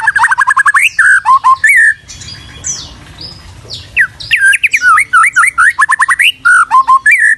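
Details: White-rumped shama recorded as a tutor song: rich, varied whistled phrases of rapid rising slurs and looping notes, with a short buzzy, scratchy passage in the middle before the loud whistling resumes.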